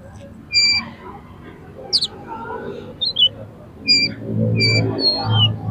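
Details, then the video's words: Agitated fighting oriental magpie-robin singing to provoke rivals into tail-spreading: clear whistled notes and sharp high chips in scattered bursts over noticeable low rumbling background noise. "KACER TARUNG EMOSI TINGGI !!! PASTI LANGSUNG BUKA EKOR KACER MANAPAUN MENDENGAR INI"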